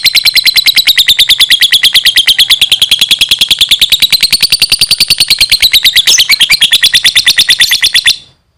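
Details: A gacor lovebird keeps up a fast, continuous, high rattling trill for about eight seconds, wavering slightly in pitch, then stops abruptly into silence.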